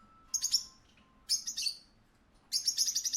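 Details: Parakeet calling in a pet shop: three bursts of high, harsh chirps with short pauses between them, the last a longer run of rapid notes. A faint steady tone hums beneath.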